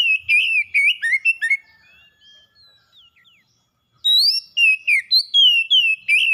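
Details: Oriental magpie-robin kept as a pet, singing energetically: fast varied whistled notes and downslurs for about a second and a half, quiet soft notes, then a second loud burst of ringing rising and falling whistles.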